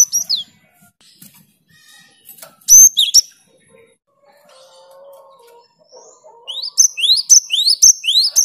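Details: Great tit answering another great tit's song; after scattered faint sounds and a loud high note, a quick series of upward-sweeping whistles paired with thin piercing notes closes the recording.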